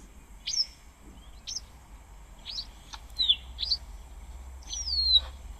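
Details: Cape Wagtail at an African waterhole on 14 July 2025, giving high, thin chirps and short sweeping whistles, about one note a second, over a low outdoor rumble.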